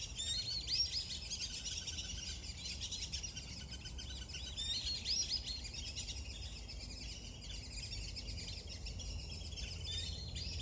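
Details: Black-bellied whistling duck calling outdoors: two bright, rising whistled phrases, one near the start and one midway, set over a dense, steady chorus of high chirping and a faint low background hum.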